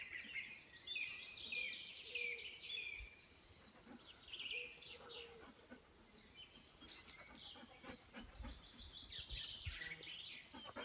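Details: Birds singing on Denmark's west coast, a busy mix of rapid chirps, trills and short whistled phrases from several birds, faint low rumble underneath, outdoors.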